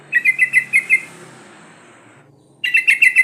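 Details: Sooty-headed bulbul, a breeding female calling for males, gives a quick run of six bright chattering notes, a pause, then another fast chattering burst.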